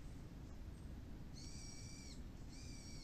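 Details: Birds vocal after the rain ends near a local plum orchard being checked for blossoms: two sustained, evenly pitched harmonic calls, the second shorter, over continuous low-frequency rumble.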